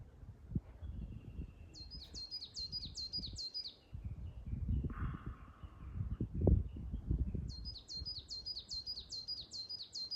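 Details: Coal tit at the top of a Norway spruce on Asahiyama, Shiga Highlands, Nagano, Japan, at 1520 m, 29 May 2022, singing two bouts of high, fast, evenly repeated two-note phrases over steady wind noise.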